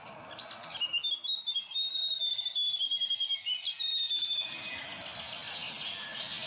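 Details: Grey warbler (riroriro), a tiny shy bird of dense New Zealand bush, gives a high, thin, wavering trill of rapid notes lasting about three and a half seconds, rising slightly then dipping, over soft background hiss.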